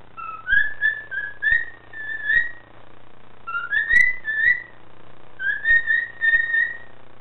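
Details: A male cockatiel sings clear whistled phrases that slide up and down, in three short bursts.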